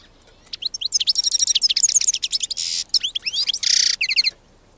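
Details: A wild European goldfinch delivers a lively tinkling song of fast chirps and trills, interrupted by rasping buzzy wheezes, with quick repeated notes near the end before stopping.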